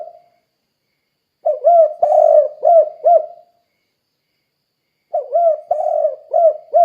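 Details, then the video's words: Persistently calling spotted dove, played to lure other doves into calling: two phrases of mellow repeated coos, each a few short notes plus a longer sustained coo, separated by a silent gap of about two seconds. "Suara Burung Tekukur Gacor Kuk 2 Untuk Pancingan Derkuku Biar Cepat Bunyi"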